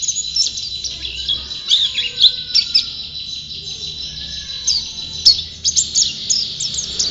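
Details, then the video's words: A prize-winning, ever-singing white-eye produces a rapid, high chattering song of squeaky slurs and buzzy flourishes. Faint lower whistles and a sharp click sound in the background. "Burung Pleci Juara Gacor"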